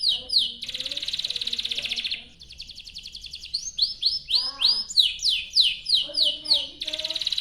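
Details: Canary singing a long, continuous song used as a lure to make other canaries sing: dense rapid trills, rolling buzzy passages and series of swooping whistled notes repeated several times a second.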